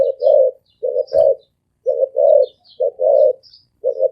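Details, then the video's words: A spotted dove coos in low, full paired phrases, a short note then a longer rounded coo, repeated about every second; one short click and faint high chirps of other birds. "Tiếng chim cu gáy thổ ồm vang gáy gù siêu tốc siêu nhanh"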